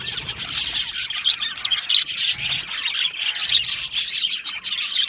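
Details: Budgerigar colony in an aviary, described as happy: nonstop raspy chirps and squeals from many birds blending into a rough, high-pitched chatter.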